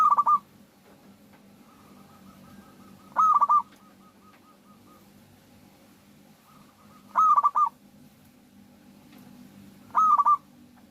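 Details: Local zebra dove, played to provoke other doves into singing, delivering four short stuttering coo phrases spaced about three seconds apart, with fainter answering coos in the background.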